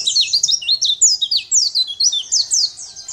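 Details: Champion Sunda white-eye singing a loud, unbroken run of quick high slurred notes, each swooping down and up, about five notes a second, used as a training recording for other caged birds.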